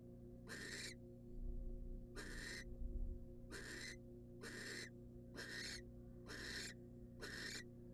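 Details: Female barn owl, wild, receiving a rat from the male inside a nest box: seven harsh hissed screeches at fairly even intervals, plus low rumbling thumps and a background hum.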